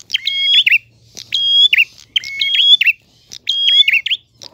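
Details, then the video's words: Prinia singing clearly in 'gacor ngalun' style: four phrases, each a click, then a held high whistle over a lower tone and a zigzag ending, about a second apart, with a faint low hum beneath. "Prenjak Gacor Ngalun. Suara jernih."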